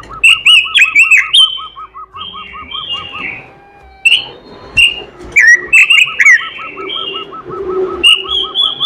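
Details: Melodious robin singing continuously with imitated fill-in phrases: loud, rapid high warbles and sharp chips over a constant train of short repeated lower notes, with a brief softer stretch midway.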